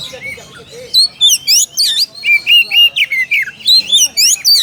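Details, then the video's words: Oriental magpie-robin calling to a rival with a rapid run of loud, bright whistled notes, many sweeping up and down, after a soft opening. "SUARA KACER MEMANGGIL LAWAN"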